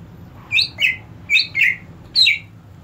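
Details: Greater green leafbird, a caged bird; five bright downslurred whistles in two quick pairs and a single note, over a faint low hum.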